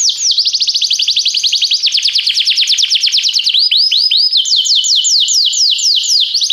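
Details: Training song of a canary: continuous loud high trills, shifting from a fast rattle to slower descending slurred notes and back to quicker sweeping phrases, with no pauses.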